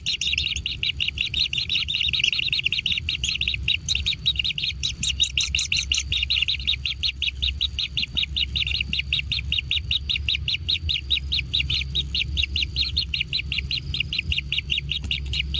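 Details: Young kingfishers being fed in their natural nest, keeping up an unbroken run of sharp, high, rasping chirps, about two or three per second, that grow more intense, over a steady low hum.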